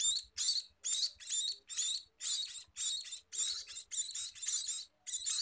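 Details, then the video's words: Begging calls of a scaly-breasted munia: rapid series of shrill, rasping squeaks in clipped bursts, roughly two per second, steady and insistent, with soft low knocks in the background. "Meloloh Burung Emprit Peking!!"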